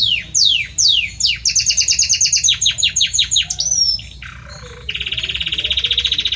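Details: Male Belgian canary serenading a female: several downward-swept whistles, a pulsed trill of doubled notes, a brief whistle, then a loud rapid buzzy roll at the close.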